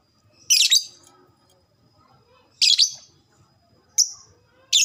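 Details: Lovebird described as a fighter type that gives long ngekek chattering, used to prompt other lovebirds to chatter quickly; short, harsh, very high screechy bursts, about four in five seconds, separated by near silence.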